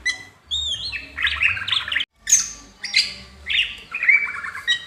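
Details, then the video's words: A greater green leafbird fans its tail and sings, mixing clear whistles with buzzy, rasping phrases in roughly half-second bursts, broken by a brief silence. "CUCAK HIJAU NGIPAS EKOR"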